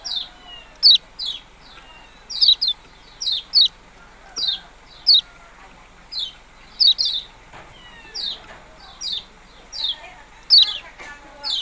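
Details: Yellow-bellied prinia giving sharp, high, downslurred chirps in loose pairs and singles, roughly one or two per second over a quiet background.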